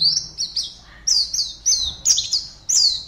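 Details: High-pitched chirping from a caged white-eye, known locally as pleci, entered in an Indonesian online singing competition from Pontianak, West Kalimantan; bright slurred notes arrive in short bursts separated by brief pauses.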